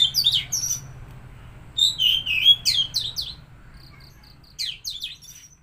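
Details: Oriental magpie-robin song played to rouse a stressed or silent bird: quick high whistled notes and twittering sweeps in two main bursts, plus short repeated pips, over faint low hum.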